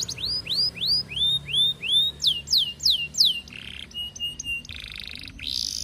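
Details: Canary courting a female, its song serving as a lure for other canaries: looping rising whistles repeated about three times a second, then sharp falling sweeps and buzzy, rattling segments.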